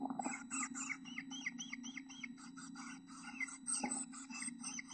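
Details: Chickadee nestlings in a nest box, two of seven eggs hatched, give an excited stream of high, rasping and chirping notes with some rising squeaks. A knock sounds near the end over a steady low hum.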